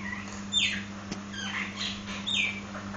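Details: Nias hill myna giving two loud, clear whistles that slide steeply downward, about 1.7 seconds apart, with softer whistled notes between them over a steady low hum.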